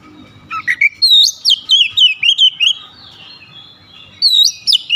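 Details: Oriental magpie-robin, known locally as kacer, delivering a fast run of loud slurred whistles and chips, descending notes in a quick series, then a short pause before another burst of rising whistles.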